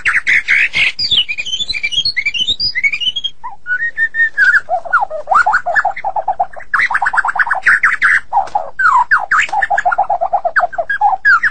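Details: Medan white-rumped shama in full, energetic song: a high rapid rattle of bright notes, then long runs of quick repeated whistled notes and slurs that drop and rise, nearly continuous for over ten seconds.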